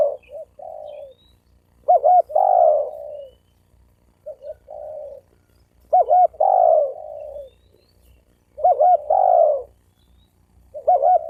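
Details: Spotted dove calling to provoke males and females into fighting. Three phrases about four seconds apart, each opening with faint short notes, then a loud wavering double note and a long, slowly falling coo.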